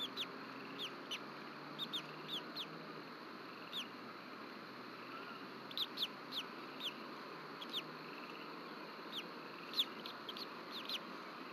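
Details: Bald eagle pair at a nest camera in Rome, Georgia, on 26 March 2024 around 7:21 pm, during an evening feeding of a chick. Short high chirps come in scattered bursts and pairs against a steady hiss of background noise.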